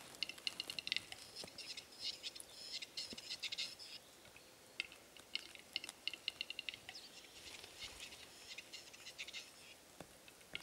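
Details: Western capercaillie at a lek in Norway in April 2017, with 11 males and 20 females displaying in front of hides; faint, dry clicking bursts and scraping notes come in irregular runs through the clip.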